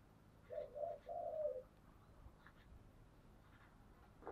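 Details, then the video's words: Spotted dove singing in the giọng thổ song style: three soft, low, hollow coos in quick succession, the last one drawn out, followed by quiet background with faint distant sounds. "cu gáy giọng thổ"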